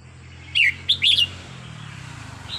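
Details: Red-whiskered bulbul singing on a training recording: one short chirp, then a quick run of clear, bouncy whistled notes, over a steady low hum.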